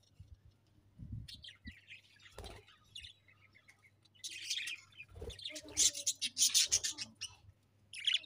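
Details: Pet budgies give scattered soft chirps at first, then a loud, bright bout of rapid scratchy chatter in the second half, with a few low knocks in between.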